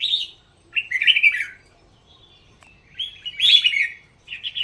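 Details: A caged red-whiskered bulbul from Thailand's singing-contest scene sings lilting, gurgling phrases of three to four notes separated by pauses of about a second.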